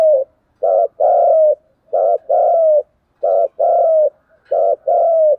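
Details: Spotted dove calls in steady repeated pairs, each a short coo followed by a longer, slightly falling coo. About four pairs come in quick succession, loud and clear.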